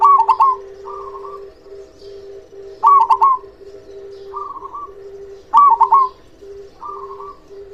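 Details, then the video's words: Loud-voiced local zebra dove singing to provoke quiet or reluctant doves into calling; rapid stuttered cooing phrases repeat roughly every 2.7 seconds, each followed by a softer trilled coo, over continuous low cooing from further doves. "Perkutut lokal gacor suara besar"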